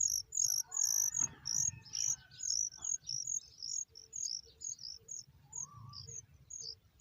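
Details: Oriental magpie-robin chicks, being fed by a parent, give thin, very high, rapid chips, about two a second, with a few lower adult notes and a soft background rumble.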